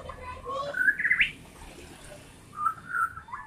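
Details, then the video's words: White-rumped shama giving two short whistled phrases, the first rising into a bright flourish, the second a pair of clear notes after a pause, over a quiet background. "suara murai batu MH"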